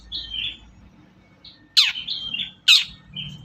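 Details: Long-tailed shrike sound meant as a lure for quiet shrikes: soft, slurred whistles broken by two loud, harsh, grating notes about a second apart, with faint low background hum.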